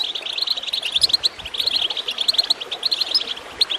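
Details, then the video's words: Brief burst of goldfinch chirping meant to get birds singing: rapid, high, clipped notes clustered in quick runs with short gaps, set against faint running water. "Water gurgling with goldfinch chirping to encourage birds to song"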